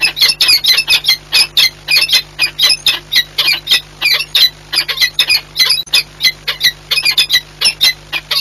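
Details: Long run of rapid, scratchy squawks from peregrine falcons during a courtship meeting at Orlen Płock, Poland, 8 March 2022, the notes closely spaced and insistent over a low hum.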